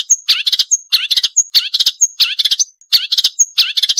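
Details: Marsh warbler, sharp 'nembak tajam' training song: a repeated phrase of one high, thin whistle followed by a burst of chattering notes, about every half second.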